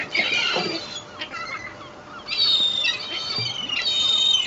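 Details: A flock of gulls squabbling over bread at Fleetwood Docks on a sunny day: dense, loud, overlapping shrill squeals and mewing cries, nearly continuous.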